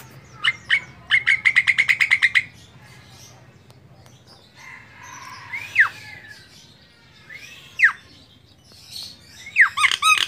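A female Javan myna gives a fast burst of about a dozen dry, clicking notes, then slurred whistles that sweep up and down, ending in harsh chatter over a low hum.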